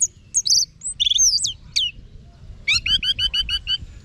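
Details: Orange-headed thrush song of varied high whistles and twisting slurs, then a rapid, even series of repeated bright notes.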